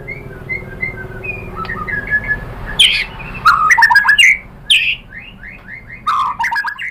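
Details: White-rumped shama singing as a lure to make other shamas reply: scattered soft whistles, then loud clustered phrases of sweeping whistles and sharp chirps in bursts, with quiet gaps and a low background hum.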